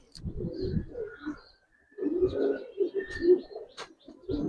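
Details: Silver Budapest highflyer pigeons coo softly in a loft, two bursts of low gurgling phrases split by a near-silent gap, with light rustles and a faint tap.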